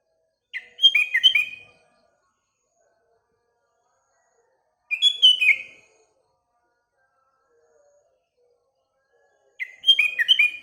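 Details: Sooty-headed bulbul singing in the morning, repeating a bubbly phrase of quick fluty notes three times at intervals of about four to five seconds, with near silence between phrases.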